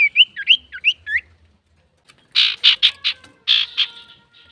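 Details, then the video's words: Male common iora, kept to provoke other birds into song: a quick series of looping whistled notes, then harsh buzzy squawking bursts after a pause. "SUARA BURUNG CIPOH SIRTU GACOR COCOK UNTUK PANCINGAN"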